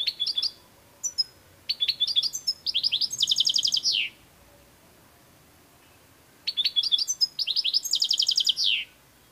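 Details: European goldfinch (saka) song: two bursts of bright, high twittering, each opening with short chips and whistled notes, then a fast run of repeated tinkling notes ending in a downward slurred trill; quiet pause between phrases.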